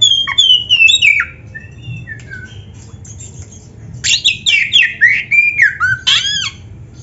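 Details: Oriental magpie-robin (kacer) in vigorous 'gacor' song: a run of descending clear whistles, a pause, then a dense burst of rich, slurred and rattling notes repeated rapidly, roughly three or four per second.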